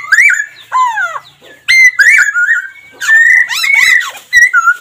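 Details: Laughingthrush giving strong whistled phrases, each a swooping slur that rises then drops, delivered in bursts of about a second with short gaps and high sharp notes mixed in.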